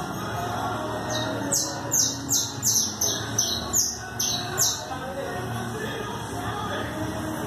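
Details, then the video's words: Four-month-old bastico canary singing: a run of about ten bright, sharply descending high whistled sweeps, repeated rapidly over three seconds, then quieter chirps over a steady low background hum. "Bastico cantando solo 4 meses."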